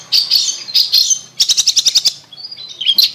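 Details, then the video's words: Lure song of a long-tailed shrike for a bird that has stopped singing. Short buzzy high notes, then a rapid series of about eight clipped ticks, and soft warbled twitters at the end. "Pancingan Cendet Macet Bunyi"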